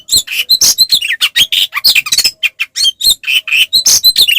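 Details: Caged oriental magpie-robin, fighting song meant to provoke rival males: quick run of rough, buzzy chirps and short harsh notes repeated several times a second.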